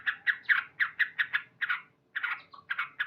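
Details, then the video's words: Short loud bout from a male sooty-headed bulbul in the morning: fast, harsh chirping notes in a run, a brief gap, then more clipped notes. "Terapi Burung Trucuk Gacor"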